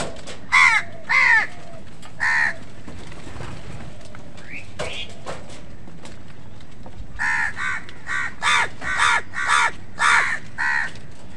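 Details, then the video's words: Crows fighting with wild birds for food give harsh, rasping caws: three spaced caws early on, then a rapid run of about nine caws near the end, over a steady low background hum. "কাকের ডাক Crow Sound"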